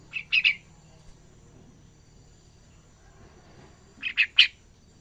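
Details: Yellow-vented bulbul chick learning ngacor singing produces two groups of three quick, bright chirps, one at the start and another after about three and a half silent seconds.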